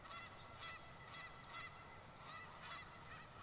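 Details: Nearly 30 Canada geese on a grass field by a lakeside school honk, swinging their necks vigorously; overlapping nasal, trumpet-like two-part honks come several times a second over a low background rumble.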